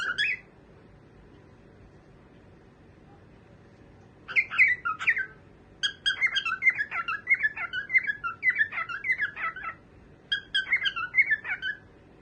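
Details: Cockatiel (Nymphicus hollandicus), chirping.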